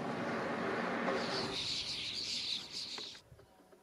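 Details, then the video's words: Sparrows at a bird feeder: a rapid, dense series of high, bright chirps runs for about two seconds after an opening stretch of broad rushing noise, then stops abruptly, leaving quiet background. "Sparrows (Birdfeeder, Summer, Winter, Snow)"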